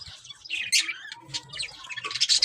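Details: Pet budgerigars resting in their cage in summer heat chatter in quick, high, scratchy chirps and warbles, thick and uneven, with brief louder squawky bursts, as a man speaks softly underneath.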